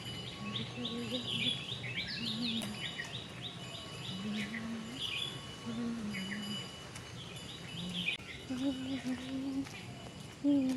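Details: Morning birdsong in a natural setting on the way to a Durga temple, many different kinds of birds calling: bright high chirps and twittering phrases repeated through the clip over low steady tonal sounds and faint background noise.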